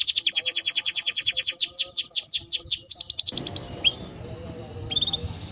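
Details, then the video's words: Timbrado canary singing a beautiful melody: fast repeated notes flowing into a series of descending whistled sweeps, then a quick trill and a few faint chirps over background hum. "Canary Bird Singing Timbrado canary singing beautiful melody"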